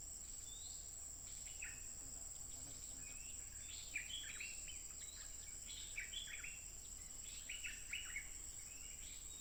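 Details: Stripe-throated bulbul, wild, singing nonstop and fiercely, smartphone recording dated 15 June 2021; bubbly clusters of brief warbled notes come in bursts through the clip, set against a constant shrill insect hum and faint background hiss.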